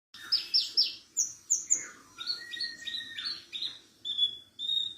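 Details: Javan bush lark of the parva type, singing as a tutor recording for training other larks: a varied run of high sharp chirps, falling slurred notes, short whistled bars and clear level whistles, loud and close.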